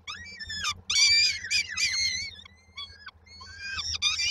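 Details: Hungry peregrine falcon nestlings in Koszalin, Poland, 19 May 2022, awaiting their mother with dinner: shrill, harsh, wavering wails packed closely together, briefly fading then resuming.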